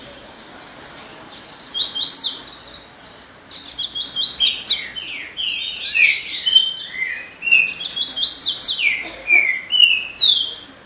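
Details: Double-collared seedeater delivering lively phrases of quick descending whistles and buzzy trills after a brief quiet opening, continuing steadily to the end.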